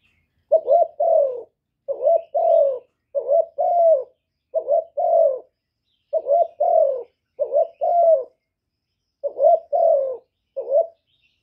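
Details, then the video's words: Kept spotted dove cooing to stimulate other doves; rhythmic hoarse two-part phrases, quick rising note then a longer mellow tone, repeated steadily over several seconds with short gaps; no background noise. "Cu gáy hạp bổi GÁY GỌI + THÚC + GÙ + BO kích bổi hiệu quả, cu đất gáy, tiếng cu cườm gù, cu bo"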